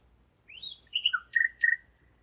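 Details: Common nightingale singing at 01:55 at night on 5 May 2017 in Zeitz, Germany: a rising whistled slur, then a lower fluting note and two loud, rich chopped phrases, against a still night background.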